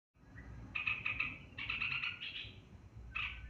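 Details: Olive-winged bulbul giving its long song, locally called ngebren panjang: bursts of rapid, buzzy stuttering notes in short runs separated by brief pauses, with a final short burst after a gap; low background rumble.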